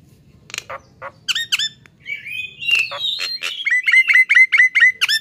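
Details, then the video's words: Nias hill myna recorded to train songbirds: a few scattered sharp notes, then a slurred whistled phrase, ending in a quick, even series of loud clipped whistles repeated about twice per second. "MASTERAN AMPUH || Jalak Nias GACOOOR"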